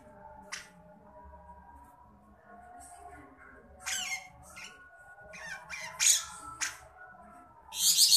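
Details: Grey-cheeked bulbul of the Javan form uttering beset'an: rasping, noisy bursts, isolated at first and then clustering toward the end, loudest in the final seconds, with faint steady tones and a quiet low drone beneath.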